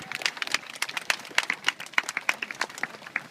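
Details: A crowd clapping in a rapid, irregular patter of sharp claps, with no animal voice heard.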